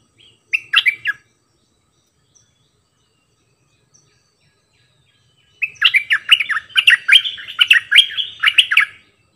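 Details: Bulbul used as a decoy bird, singing many songs: a short warbled burst, a pause of several seconds, then a longer rapid string of bubbling, slurred whistled notes repeating over three seconds.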